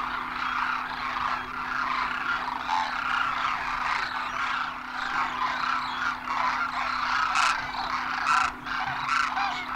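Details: Demoiselle cranes, the Koonj of northern India, gathering in thousands at a Khichan water hole in Rajasthan in winter; many birds call together in a rough, trilling, croaking clamour with occasional sharper bursts and a low background hum.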